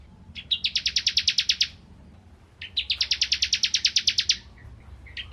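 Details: Bar-winged prinia of the crystal type from rice fields, played as magpie-robin tutoring; two even, rapid trills of buzzy notes, each about a second and a half, with a brief start of a third.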